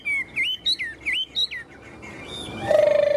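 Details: Tame Chinese hwamei in a cage, gripping the bars and showing off wing and tail, sings a brief string of bright, swooping whistles, followed by a steady low hum near the end.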